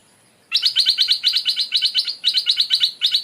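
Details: A caged Stripe-throated Bulbul, taken back to the forest where it was caught, where a new territorial bird now lives, gives a fast run of bright, bubbly chirping notes, about six per second, with brief pauses between bursts.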